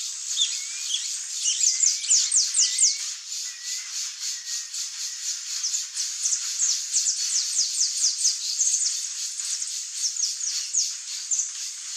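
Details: Wild Saffron finches in Brazil chirp in busy, high overlapping bursts of quick sharp notes, about two a second, over a steady high hiss.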